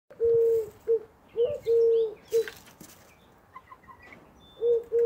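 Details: Eurasian collared dove, known as the woohoo bird, calling nonstop. Low hollow three-part coos, each a short note, a long drawn note and a short clipped note, repeated in quick succession. Faint high chirps from other birds sound in the background.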